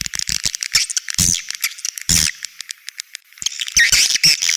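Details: Edible-nest swiftlet outer sound (เสียงนอก), linked to swiftlet nest houses: dense, high, rasping chirps and twitters interrupted by broad clicking bursts, with a brief quieter gap midway.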